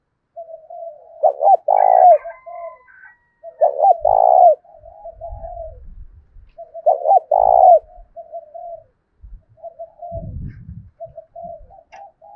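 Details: Decoy spotted dove with a deep 'thổ' voice, cooing to draw wild doves into answering. Three loud phrases about every three seconds, each a hooked double note and a rolling coo, with light knocking sounds between.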